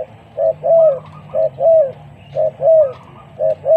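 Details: Spotted dove used as a lure bird set against a newly trained bird, giving low hollow coos in pairs: a short note then a longer, slightly arched one, each pair repeated about once a second, clean and close.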